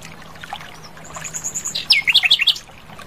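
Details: Asian brown flycatcher in the wild: a row of very high thin notes, then a loud sweeping downslurred whistle followed by rapid zigzagging chirps, with faint background hum.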